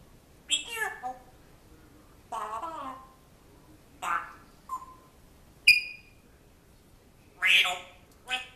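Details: Pet African grey parrot imitating a man's voice as if training a dog it once lived with. Six separate bursts of speech-like chatter and a sharp whistled note, about every second or two, indoors.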